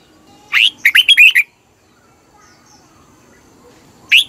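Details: Red-whiskered bulbul, its song used to excite caged birds: one lively phrase of quick whistled, warbling notes, followed by quiet and the start of another phrase.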